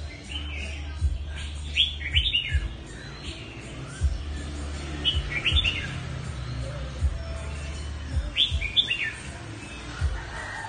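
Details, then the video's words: A mutant red-whiskered bulbul sings well, giving short, bright warbled phrases about every three seconds over a steady low rumble and background noise. "Chào mào đột biến hót hay"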